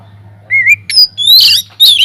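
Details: Oriental magpie-robin in an aviary singing hard, used to prompt other birds to sing: a wavering whistle, then squeaky rising and buzzy falling phrases in quick succession, with a low hum behind.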